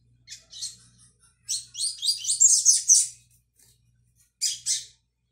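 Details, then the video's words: Double-collared Seedeater in brown juvenile plumage learning the tui tui song, dated 22/05/22: a few short high chips lead into a dense, jumbled, squeaky high warble, ending with another brief note; faint hum behind. "Coleiro Pardinho - Aprendendo Canto Tui Tui"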